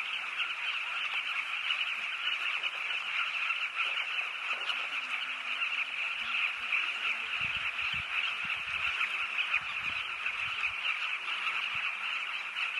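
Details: A Southern carmine bee-eater colony on the Zambezi River in Namibia makes a dense, unbroken chorus of overlapping rolling, throaty calls that stays at the same level from start to finish.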